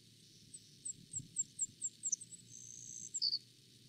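Savannah Sparrow song: a series of thin, very high ticking notes, then a buzzy insect-like trill ending on two lower notes. Faint low hum underneath.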